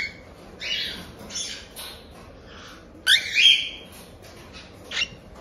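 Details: Cockatiel chicks about one month old, bred in Tokachi, Hokkaido, Japan, give the chick-period 'jaa-jaa' begging call: hoarse, raspy squawks in short clusters, a loud double burst near the middle and a brief final note.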